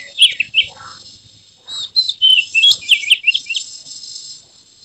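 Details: Magpie-robin in emotional display, tail spread, singing a jumble of quick whistled and chattering notes over a steady high hiss.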